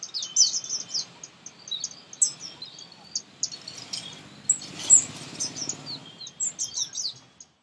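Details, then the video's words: Baby birds begging during feeding, shrill high-pitched chirps pouring out in fast, uneven bursts, several voices overlapping, with a louder excited flurry around the middle. "Most Beautiful Baby Birds Feeding - Feeding Baby Birds Close Up - Birds Chirping Sound Effect."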